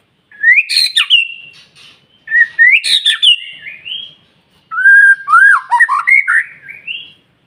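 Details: White-rumped shama singing an intense stimulation song to get other shamas singing: rising whistles ending in harsh bursts, soft rising phrases, and a varied warbled sequence of quick notes.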